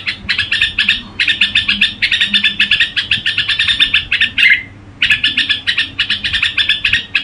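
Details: Gù-style singing from a red-whiskered bulbul: quick, rattling strings of bright chirps, then a short slurred note and a pause before the rapid chatter resumes.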